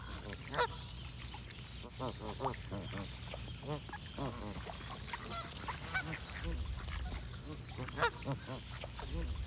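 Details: Geese honking in bursts throughout, nasal calls of varying loudness with several birds overlapping, plus a low rumble in the later seconds.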